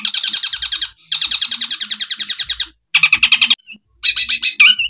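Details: Long-tailed shrike, known locally as cendet, singing a masteran tutor recording in the 'tembakan gereja kuntilanak' style: long, rapid, buzzy chattering rattles of dense repeated notes, broken by brief pauses, then scratchy bursts and a few thin whistles.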